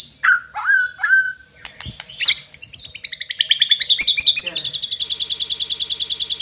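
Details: White-rumped Shama from Indonesia singing with imitated fill-in phrases (isian) of sogon, cricket, cungkok and lovebird: a few falling whistles, then sweeping high notes, then a long, fast, even series of sharp repeated notes, many per second.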